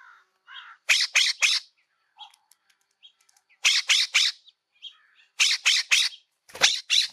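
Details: A California scrub-jay at a lichen-covered rock with a seed snack gives harsh, rasping notes in quick bursts of three, each burst a few seconds apart, with soft chattering notes in between.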